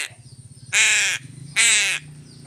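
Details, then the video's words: Crow calling while being fed fish: two loud, harsh, drawn-out caws about a second apart, over a steady low hum. "BURUNG GAGAK"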